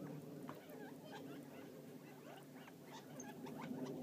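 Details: Gambel's quail, wild, foraging just outside Florence, Arizona; quiet flock chatter of brief chips and little upslurred notes, roughly four per second and irregular, over a low constant hum.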